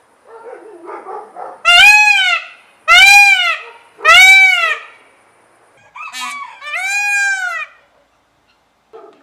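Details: Yelling peacock gives soft low murmuring calls, then three loud, strained, arching screams about a second apart, followed by a shorter hoarse double cry and a final longer wail.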